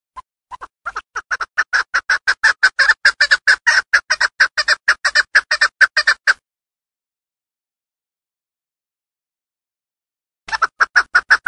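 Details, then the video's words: Female chukar partridge from Darvoz, Tajikistan, kept for hunting, giving a long series of rapid, harsh clucking notes about two a second that speed up and then stop, with a second burst after a silence. "Садои Модкабки Шикори 70 та гиро аз н.Дарвоз. Голос птиц как поёт горная Куропатка. Кеклик вТаджикис"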